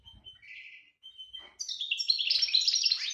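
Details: European goldfinch in breeding condition, 2018: a thin whistled note and soft buzz, then a bright, rapid tumbling twitter of high tinkling notes.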